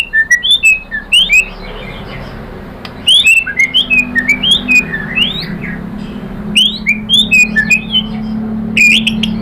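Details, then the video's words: White-rumped shama (murai batu) of Indonesia, singing a lure song to provoke other birds. Clusters of high slurred whistles come in bursts separated by pauses, over a steady low humming background. "KICAUAN MURAI BATU bikin NYAUT ikut BUNYI jadi GACOR"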